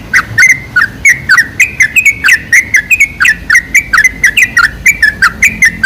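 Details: Sooty-headed bulbul lure song to draw bulbuls into calling, dense, fast series of slurred, gurgling notes delivered several per second without a break.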